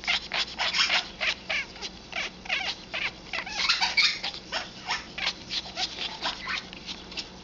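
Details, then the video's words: Eleven-year-old female Congo African grey parrot indoors, showing hormonal mating behaviour: rapid series of harsh, rasping pulses, about three per second, uneven in strength, with brief squeaky notes mixed in. "African Grey hormonal behavior"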